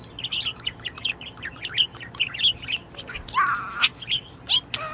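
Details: Pet budgerigar in a very good mood, chattering steadily with bright warbled chirps and squeaks, a few longer buzzy notes near the end, in a quiet indoor setting.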